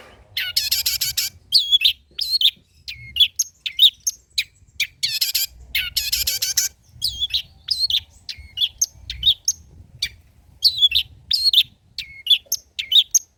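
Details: Old-style, richly varied song of a long-tailed shrike, used as prompting and tutor material. Loud bursts of harsh, dense high chatter alternate with scattered short whistled and chipping notes.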